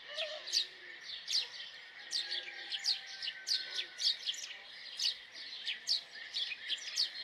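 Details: Repeated bright chirps from a house sparrow, spaced about every half second to a second, clear and evenly paced above a faint steady hiss.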